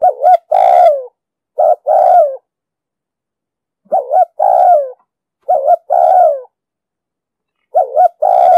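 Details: Low cooing of a spotted dove with the 'đồng sấm' voice, played to train new captive birds and draw wild doves into traps: five phrases of a brief double note and a drawn-out descending coo at uneven intervals, quiet background.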